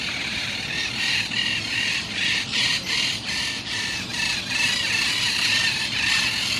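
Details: Monk parakeets giving a dense chorus of harsh, scratchy squawks that overlap continuously, with louder bursts swelling roughly twice a second against a steady hiss of background noise.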